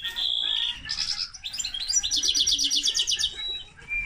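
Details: Linnet and canary hybrid in song, opening with a sustained whistle, then varied chirps leading into a quick, pulsing trill of bright high notes and a closing short whistle.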